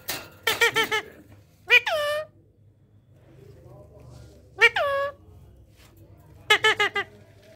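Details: A talking Indian parrot, rose-ringed parakeet, indoors giving bursts of rapid harmonic chatter alternating with drawn-out falling nasal calls, groups repeating every two to three seconds over a faint low hum.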